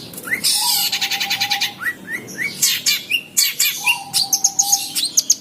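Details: Teased long-tailed shrike in captivity mixes rasping chatter, short rising chirps and rapid clicking notes in an irregular outpouring, while a level thin whistle sounds in the background on and off.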